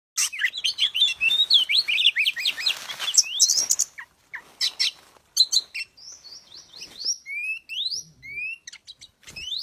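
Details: Oriental magpie-robin singing on a lure recording: a dense rush of fast chattering, varied notes for four seconds, then a spaced series of clear rising whistles and short sweeping phrases, with brief pauses between them.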